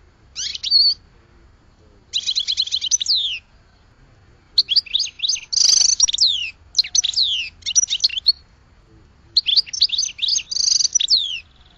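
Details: Goldfinch delivering its song in separate bursts of high, jangling twitters and buzzy notes, each burst about a second long with short pauses between.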